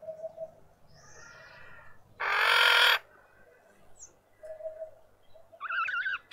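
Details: A female Red-winged starling with a deformed beak calls once, a loud, rough, grating rasp, in a suburban Pretoria garden, South Africa. Soft cooing and a brief, higher twittering bird are also audible.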